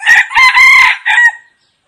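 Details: Red junglefowl (Gallus gallus) decoy rooster gives a short, clipped crow of four rapid harmonic notes, bright and ringing, ending abruptly after about one and a half seconds.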